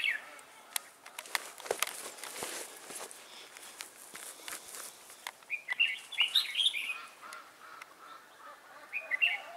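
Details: Red-whiskered bulbul acting as a trainee trapping decoy, 11 December 2016; scattered clicks and rustling at first, followed by a burst of bright chattering, warbled notes and a brief phrase near the end.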